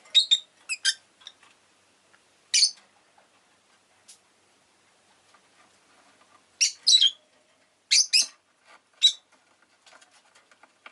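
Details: Rosy-faced lovebird kept as a pet, chirping in clusters of shrill, rasping notes, often in pairs or triplets, separated by brief pauses, with faint ticking in the background.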